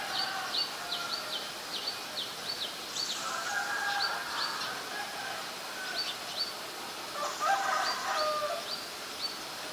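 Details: Common myna recorded on February 24, 2022 in Ubon Ratchathani, Thailand, on a Nikon P1000; quick runs of short high chirps alternate with lower, harsher gurgling notes over a steady background hiss.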